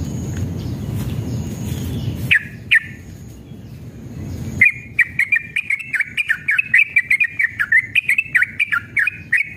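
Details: Male yellow-vented bulbul in fired-up, aggressive mood giving a long rapid 'ropel' song, used as a lure to make other bulbuls sing. Steady low rumbling noise first, then two short notes, then a fast run of bubbly, warbled phrases with sharp clicks.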